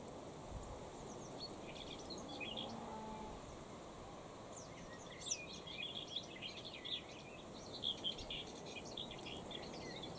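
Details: In Beryslav district, Kherson region, Ukraine, on 8 August 2019, a common whitethroat gives scratchy, high chattering bursts, faint at first and then a busier run of short notes in the second half, over a steady outdoor hiss.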